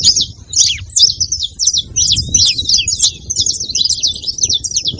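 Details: Saffron finch singing, meant to fire up a cold, quiet canary: bursts of quick high chirps and buzzy trills with short gaps between phrases, over a low rumbling background.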